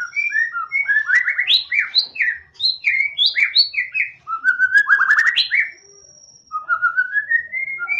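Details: White-rumped shama in full song, played to encourage a quiet bird to sing: a long varied stream of loud whistled notes, quick trills and upslurs, a brief pause, then a rising run of whistles.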